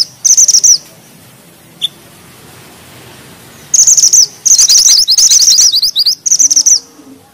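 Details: Bushchat (mantenan gunung) in lively song, tight rolling with sharp shots: a short high trill, one lone chip, then a dense run of rapid chattering, twittering phrases over a quiet background.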